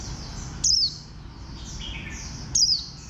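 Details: Warbling white-eye, noted for its bantam-like shape: two shrill, falling slurred notes nearly two seconds apart, with a brief lower whistle between them and continuous high twittering of other birds behind.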